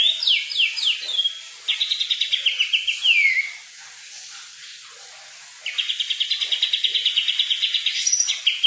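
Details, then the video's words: Kukluk bird heard in the wild giving quick descending whistles and rapid stuttering trills about three notes a second, a short pause, then a long fast trill. "burung kukluk"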